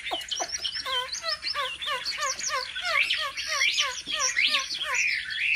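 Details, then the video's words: Home-trained Chinese hwamei in fighting song: repeated lower looping whistles, roughly two per second, beneath bright, varied higher warbles that grow busier toward the end. "Họa mi hót đấu cực hay | Luyện chim họa mi tại nhà"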